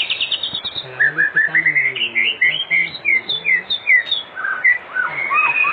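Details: White-rumped shama singing in the afternoon as a lure to prompt other shamas to sing: opens with quick high trills, then a string of short, clear whistled notes that step up and down in pitch.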